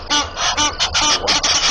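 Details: A pair of wild Egyptian geese at a dam in Djuma, Sabi Sand, Kruger Park, South Africa, on 30 December 2014, agitated as another pair flies in, defending territory while hippo bulls fight nearby; harsh, raspy honks in a rapid series, about seven within two seconds.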